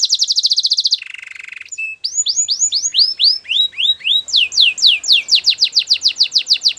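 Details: Canary singing a training song: a fast high trill, a lower buzzy roll, then repeated arching whistled notes rising into a quick series of bright descending swoops.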